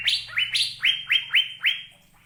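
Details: Asian fairy-bluebird song: six or seven clear, rising whistled notes in quick succession, each sharply swept upward, with a soft low hum underneath.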